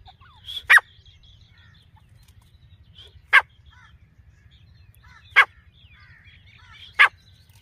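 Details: A female grey francolin gives four loud, harsh, explosive notes spaced two to three seconds apart, with soft chattering calls of other birds and a low hum behind.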